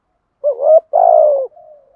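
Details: Single urging coo, 'gù thúc', from a decoy spotted dove in the 'giọng thổ' voice: a brief wavering note, a pause, then a long buzzy coo sliding slightly down, fading into a soft trailing tone.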